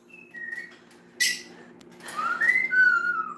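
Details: Pet parrot in an indoor flock whistling in the background: clear tonal whistles near the upper midrange, some sliding upward then gliding down, with a brief harsh burst and quiet room noise.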